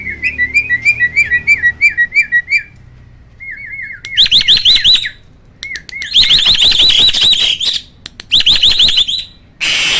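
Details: Hybrid starling (pied × black-winged) in captivity giving its "roll tembak" tutor song. Rolling whistled notes give way to loud, harsh, buzzy bursts of rising sweeps, followed by a sudden burst of noise at the end.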